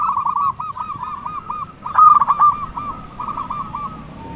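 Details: A local zebra dove sings to call out an opponent, rattling off rapid rolling coos in two bursts, with a louder overlapping phrase in the middle.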